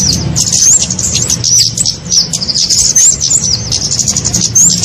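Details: Kemade lure recording used to attract small birds: shrill twittering with clear looping whistled notes scattered through a constant high chatter, low hum below.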